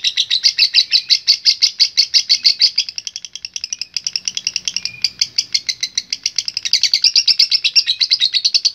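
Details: Extended chattering trill from a lovebird in ngekek style: rapid, buzzy high notes repeated about three times a second, continuing almost nine seconds with only slight dips in loudness.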